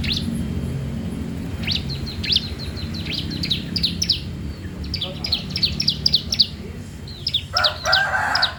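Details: Bar-winged prinia singing for training or luring other birds: quick runs of thin high chirps in several bursts over steady low background noise, with a brief broad noisy sound near the end.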